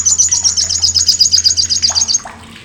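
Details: Olive-backed sunbird giving its loud, harsh, sharp chatter, used as a master recording to train contest birds: a fast, even rattle of high buzzy notes for about two seconds, with a low steady hum behind.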